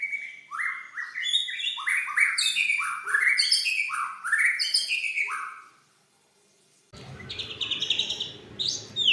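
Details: White-rumped shama singing a rich run of rising and falling whistled notes in a rapid cascade for about five seconds, then a pause, then hissy, noisier high notes; used to stimulate quiet shamas.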